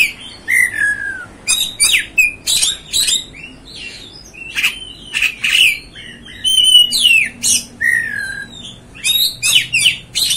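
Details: Oriental magpie-robin (kacer) provoking song for firing up kept birds: opens with a falling whistle, then a long series of sharp chattering bursts and clipped whistles, steady for ten seconds.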